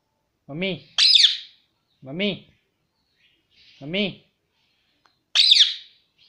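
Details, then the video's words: Pet Indian ringneck parrot saying 'mummy' nonstop indoors. Low, voice-like 'mami' syllables come about every one and a half seconds, alternating with shrill, high squawky chirps. "nonstop mummy bolne vala parrot"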